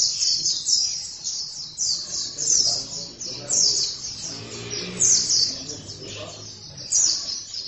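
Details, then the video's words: Oriental white-eye in full continuous song (gacor): dense, very high twittering chirps run almost without break over a low murmur of voices and background noise. "Pleci langsung gacor dalam 1 menit"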